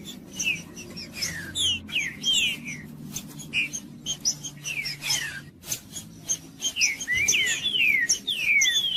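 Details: Green-winged saltator in 'macheando' male song, meant to heat up a rival male: many bright descending whistled slurs in short bursts throughout, mixed with frequent dry clicks and snapping noises and a faint low hum.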